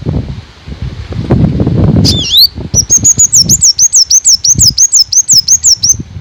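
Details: Black sunbird (Leptocoma aspasia) gives a rapid run of very high, thin, squeaky notes, about three per second, after a soft rustle and flutter.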